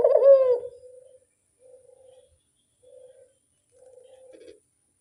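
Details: Barbary dove coo for luring: one strong note with a rising start, followed by three soft, short, level coos spaced about a second apart that fade away into quiet.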